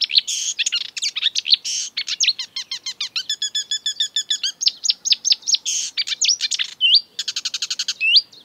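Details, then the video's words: Marsh warbler (Acrocephalus palustris), known for imitating European and African birds, pouring out a dense, unbroken song: scratchy buzzes, rapid ticking rattles, clear descending whistles and quick repeated chirps, constantly changing in tempo and timbre. "An exuberant marsh warbler (Acrocephalus palustris)"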